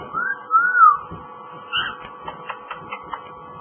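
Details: Pet male cockatiel talking and whistling its own version of Jingle Bells; two clear mid-pitched whistled notes, the second longer and gently arched, then a short higher note and a series of soft clicks in a small room.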